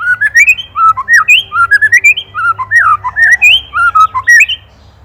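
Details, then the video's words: White-rumped shama song used as a master recording for training songbirds, Indonesia: rich, fast whistled phrases sliding up and down, notes tumbling in quick succession for five seconds, with a low steady hum beneath. "MASTERAN MURAI | SHAMA BIRD INDONESIA"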